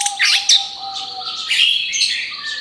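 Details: Orange-headed thrush song in a rapid-fire style, played as a lure for other birds: dense bright chirps and sweeping whistled phrases over a steady faint humming tone.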